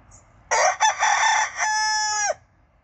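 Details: Silver Spangled Hamburg rooster crowing in a kitchen garden: one loud, harsh crow lasting about two seconds, choppy opening syllables giving way to a long, steady held final note that cuts off abruptly.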